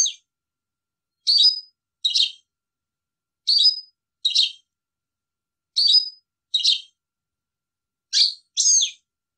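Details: Paired short, sharp chirps from a European goldfinch, repeated about every two seconds, each pair bright and high with a quick downward flick, in otherwise clean silence.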